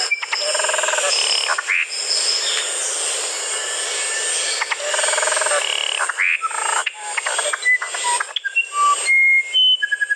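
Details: Singing musician wren: clusters of harsh chattering notes and rising slurs give way to a sequence of clear whistles at varied pitches, with a constant high-pitched hiss in the background.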